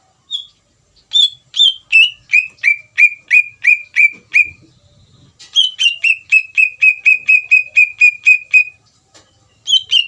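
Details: Greater green leafbird song used to provoke another leafbird into replying: long even runs of bright whistled notes, roughly four per second, a dozen in one run, a brief pause, then another dozen, slightly higher at first.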